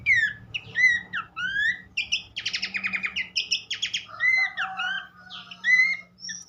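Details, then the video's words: Horsfield's babbler singing a lively mix of rising and falling whistles and rasping buzzy bursts, bright and energetic, with a faint low hum behind. "mesti ikutan gacor burung pelanduk semak lain dengan terapi andalan ini"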